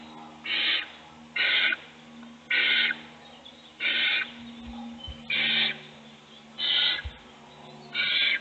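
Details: Owl chick at a nest box, fed by a parent while siblings sleep. Regular harsh hissing screeches, about seven in eight seconds, over a steady background hum and occasional low knocks.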